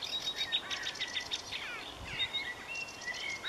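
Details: Continuous rapid song of a marsh warbler, a mimicking migrant of wetland and field-edge vegetation: quick repeated chips, short trills and slurred whistled notes changing every fraction of a second, over faint rural background noise.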